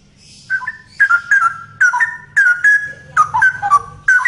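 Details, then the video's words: Male straw-headed bulbul singing loudly and persistently: rich, liquid whistled phrases mostly between low and mid pitch, bursts repeated about every half second with bubbling, warbled notes, over a faint low hum. "Burung Cucak Rowo Jantan Gacor Suara Lantang"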